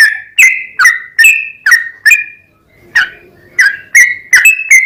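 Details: Yellow-vented bulbul lure song to make other bulbuls sing: spaced, punchy whistled notes with sharp attacks, a brief lull in the middle, then quicker notes again.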